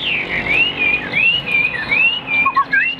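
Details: Caged Chinese hwamei, a large-built bird noted as a good singer that fans its feathers when fighting: fluid, continuous whistled phrases sliding up and down in loops, ending with lower short notes.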